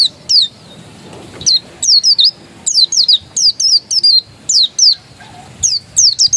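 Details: Oriental white-eye (pleci), dakun type said to be authentic; steady sequence of high descending chirps, mostly in pairs and triplets, spaced about every half-second over several seconds.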